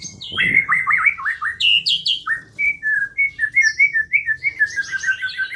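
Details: A white-rumped shama sings as a lure to trigger singing: a short burst of rapid twittering, then clear whistled notes and slurred phrases repeated in quick succession, with a faint low hum in the background.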